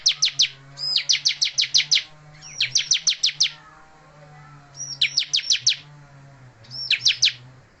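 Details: Persistent singing from a bar-winged prinia in moult: repeated bursts of quick, bright, high-pitched chirps, up to eight per burst, with brief gaps between and a low background hum.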